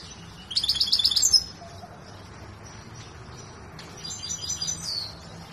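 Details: Large Himalayan saira canary singing in training near Quetta. A quick series of high pulsed trill notes is followed, after a pause, by a softer high twittering phrase with a faint background hiss.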